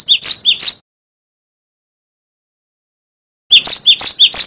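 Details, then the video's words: Cinereous tit (gelatik batu) in a master recording for training songbirds. A short run of high, clipped paired notes is followed by a long silence, then another quick burst of the same ringing two-part phrase. "Gelatik batu Full Gacor Dor , Masteran Glatik Watu Wingko Paling Di Cari"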